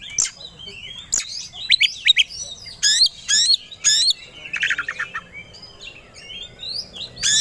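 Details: White-rumped shama, a contest songbird, singing aggressively when provoked: energetic mix of sharp whistles, harsh chattering notes and clicks, a short buzzy rattle, then softer twittering phrases.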